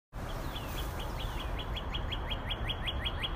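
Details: Northern cardinal giving a rapid series of short, clear, slurred whistled notes, about five per second, held steady for over three seconds over a constant low background rumble.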